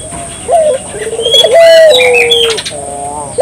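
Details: Barbary dove singing hard, recorded to draw local doves into singing: a brief rising note, then a low rippling trill flowing into long, smooth coos that fall slowly, with high twittering birds around.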